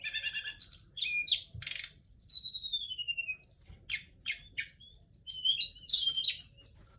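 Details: Forktail delivering a lively, high-pitched song of quick chirps, descending whistled slurs, rasping buzzes and repeated trilled phrases, almost continuous for seven seconds, with only a faint background hum.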